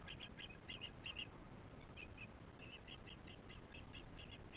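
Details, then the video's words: Osprey at a nest during chick feeding, calling in alarm before flying out; a run of short, shrill, high chirps repeated rapidly over the first second and a half, then fainter chirps continuing over steady background noise. "Not good feeding for chicks much alarm"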